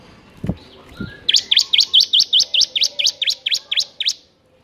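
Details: Bar-winged prinia singing energetically, for training lazy captive prinias: a couple of clicks, then a steady run of about thirteen sharp V-shaped chipping notes, roughly three each second.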